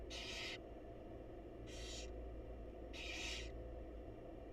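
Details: Feeding time for barn owl chicks with their mother in a wild nest box: three harsh, hissing bursts, the last one longest, over a constant low background drone.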